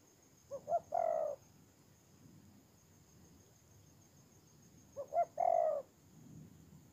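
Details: Ground decoy spotted dove, Tu Mơ Rông, Kon Tum, Vietnam, 23 September 2018, heard more distantly: two phrases about four seconds apart, each two quick short notes leading into a longer, fuller coo.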